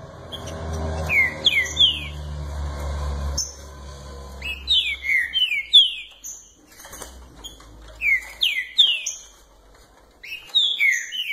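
A green-winged saltator sings loud, clear whistled phrases of slurred, falling notes, repeated in bursts, over low rumbling background noise early on.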